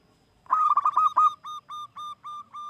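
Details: Local zebra dove singing as a lure for other doves: a loud burst of rapid stuttering coos is followed by slower, even, slightly drawn-out notes at a single pitch, each separated by a short gap.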